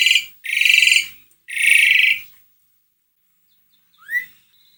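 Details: ['Asian pied starling, used as a prompt to get another bird singing: three long, grating, buzzy bursts in quick succession, then a pause and a single short rising whistle.']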